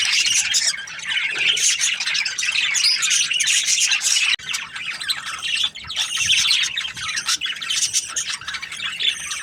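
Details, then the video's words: Australian budgie parrots warbling and chirping together, a thick, high-pitched chatter of squeaks and harsh notes with a short dip in the middle before the noisy flock sound resumes. "Australian budgies parrot chirping sounds"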